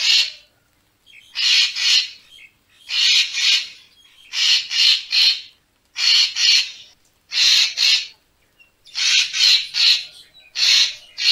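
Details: Racket-tailed treepie in a lure recording for bird photographers: a steady series of loud, coarse, chattering double and triple bursts, each group roughly a second long, separated by brief gaps.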